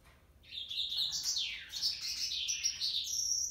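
A male yellow canary sings a continuous, rapid, high-pitched warble of twitters and sweeping trills, with nothing else audible.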